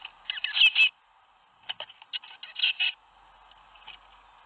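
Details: Tits fledging one after another from a nest box, seven leaving on 21 May 2019 at Théding: rapid bursts of high, harsh chirping notes in short clusters, separated by brief pauses.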